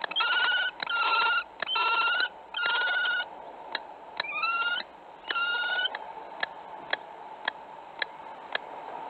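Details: Common kestrel at a webcam nest in Théding, France, on 4 April 2019, during nest preparation: drawn-out whining calls in a series of about six, each close to half a second long, followed by regular sharp clicks.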